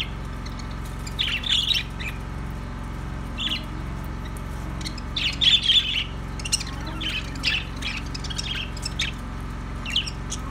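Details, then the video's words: Budgies squawking and chirping in irregular bursts, with a dense cluster of calls midway, over a continuous low humming background. "Ultra Budgies Bird Sounds Bea parrot relaxing Sounds"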